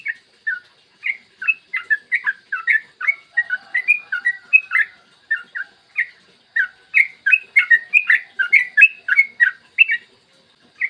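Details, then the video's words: Yellow-vented bulbul long rolling song, clear morning voice, played to coax other bulbuls into singing: dense bubbling, slurred chirps pouring out in quick runs with a brief pause midway, then resuming just as fast. "PANCINGAN TRUCUKAN AGAR BUNYI burung TRUCUKAN GACOR ROPEL PANJANG"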